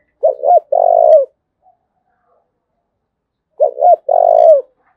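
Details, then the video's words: Spotted dove from Dong Nai province, Vietnam, in thúc bổi cooing: two clean phrases about three seconds apart, each two short hoots then a sustained low coo, with near silence in between. "Cu Gáy Đồng Nai Đang Thúc Hay Nhất, tiếng cu gáy thúc bổi mới"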